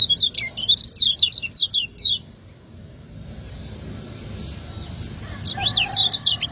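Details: Ciak ngejos song of a lemon-bellied white-eye, a Lombok cage bird, recorded as a master for training. Two bursts of rapid high chirps are separated by a few seconds of soft background hiss.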